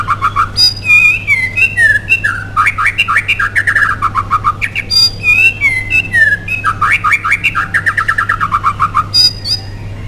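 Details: White-rumped shama in gacor (nonstop, lively) singing, used as a lure to provoke other shamas into song: rich whistled phrases, rising and falling slurs mixed with rapid chattering bursts, repeated in waves with brief pauses, over a steady low hum.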